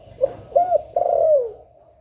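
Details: Spotted dove phrase in the 'hạp bổi' voice, meant to rouse captive doves: a brief soft note, a clipped rounded coo, then a long sustained coo that slides downward. A faint low hum lies in the background.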